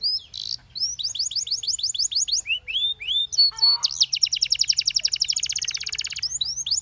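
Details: Belgian canary in full song as other canaries join in: a run of quick rising whistled notes, a brief buzzy burst, then a long, dense, rattling trill that fades into a few more upswept notes.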